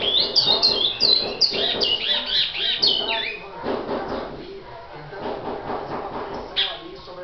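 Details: Bicudo, a brown-plumaged great-billed seed finch, delivering a fast string of loud whistled phrases, each note sweeping down then up, about four per second, fading into softer chatter and a final high note.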